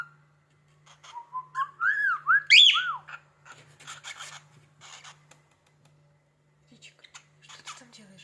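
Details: Pet cockatiel indoors, reacting to a finger scraping a cupboard door, whistles a quick run of wavy, looping notes that climb higher and higher, followed by soft scratchy rustles and a few faint squeaks over a steady low hum.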